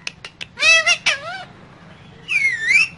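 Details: Pet parrot in a small cage, said to talk like a human and to be in a dancing mood. A few quick clicks lead into strained, voice-like phrases with wavering pitch, then a pause and a long rising-and-falling utterance.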